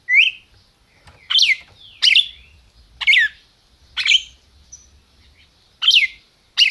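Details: A 'máquina' red-crested cardinal from a Brazilian captive breeder delivers a lively series of about eight sharp, bright chirps, each sliding downward, at intervals of under a second with one longer pause.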